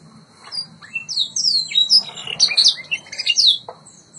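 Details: White Yorkshire canary training song: soft start rising into a warbled passage of slurred whistles and short trills, fading near the end with a low room hum.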